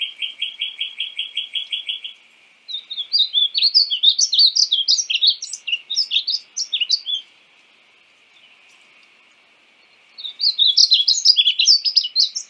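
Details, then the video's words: Painted bunting: opens with a fast even trill of repeated chips, then a sweet rambling warbled phrase, a pause of silence, and another bright warble near the end. "Conheça o belo canto do pássaro estamenha pintada (Passerina ciris)"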